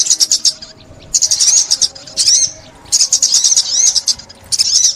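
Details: Olive-backed sunbird singing, recorded in 2021 in a trapping context: shrill, fast twittering bursts, about one per second, separated by brief silences, with a few rising slurred notes.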